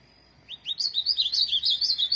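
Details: Tournament-bred ultramarine grosbeak opening with a rising note, then a rapid, continuous warble of high slurred syllables for over a second, clear and loud against a quiet background.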